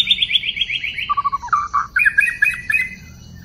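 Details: Wild White-rumped shama song from a bird-trapping recording dated 12/12/2016: a brisk string of high clipped notes, then lower quick chuckling notes and fuller whistles, ending in a rhythmic series of paired bright notes.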